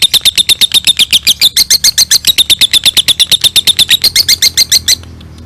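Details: Lovebird singing the long ngekek, kept as a tutor for other birds: an unbroken rattle of shrill, clipped notes, roughly eight a second, running for five seconds before stopping abruptly into quiet room tone.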